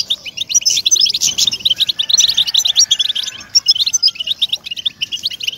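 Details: European goldfinch, song played to prompt captive birds to sing; energetic tinkling twitter opening strongly, easing briefly, then resuming with sharp chirps and short buzzy rattles.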